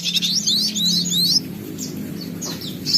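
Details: Fast high warbling white-eye phrase of rising and falling slurs for just over a second, followed by softer scattered chirps against steady low background noise.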